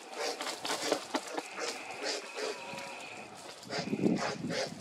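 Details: Fledgling black vultures, two of them, begging their parent to feed them in Lafayette County, Mississippi, cold cloudy noon, 18 January 2024; irregular raspy hissing bursts and grunting puffs, with a louder rough burst near the end.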